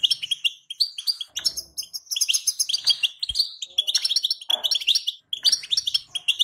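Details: Female European goldfinch calling, a sound used to excite males into singing: dense, rapid, liquid twittering with tinkling high notes in quick bursts broken by brief pauses, plus a faint low thump and a soft rustle.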